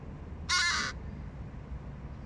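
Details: Hooded crow fledgling begging from adult crows that are not its parents and refuse to share food: a single harsh, raspy caw lasting under half a second, over a quiet low background hum.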